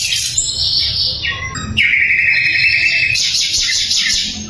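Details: Loud, clear sikatan londo flycatcher song, used as tutoring material for songbirds: dense, high twittering with a long steady whistled note near the middle, then bright chatter.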